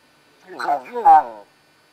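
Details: A pet common hill myna mimicking Italian speech, a one-second, human-like phrase of two or three syllables, rising then falling in pitch, against a quiet background.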